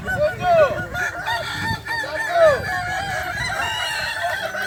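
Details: Kukuak Balenggek roosters crowing at the final of a crowing competition, boko class, in Sirukam, Solok Regency; two clear arched, descending crows about two seconds apart stand above a steady murmur of crowd noise and other distant crowing.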